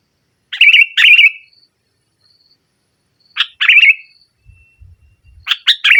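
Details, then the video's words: Vigorous nggaruda-style song of a sooty-headed bulbul, used as a lure for bulbuls that have stopped singing: pairs of bright, trilling warbled phrases with short gaps between them, plus faint low rumbles midway. "Suara Burung Kutilang Gacor Menekan Lawan NGGARUDA, Pancingan Kutilang Mogok"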